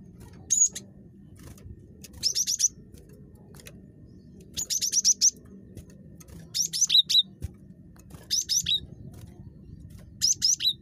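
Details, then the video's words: Very chatty cinereous tit, a recording meant to prompt other tits to call, giving six quick bursts of thin, high, fast-repeated notes, some ending in a lower dropped note, with a steady low hum underneath. "GELATIK BATU SUPER CREWET"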